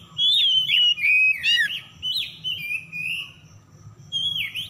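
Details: Lure recording of an oriental magpie-robin meant to set stressed, silent birds singing: sweet whistled phrases with quick downward slurs and a few scratchy notes, fading into softer wavering whistles before a final bright phrase.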